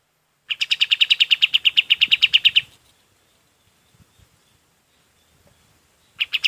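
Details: High, fast repeated chirping notes of a golden-bellied gerygone, a recording used for training other birds, in a two-second burst followed by near silence and the start of another run.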